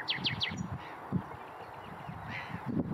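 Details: Red-backed shrike (Lanius collurio), call.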